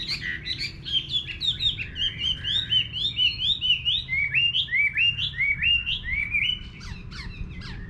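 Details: Chinese hwamei in a countryside garden pouring out a continuous, loud song of rich slurred whistles, many phrases rising sharply then dropping, delivered in quick succession with a slight pause before the final notes.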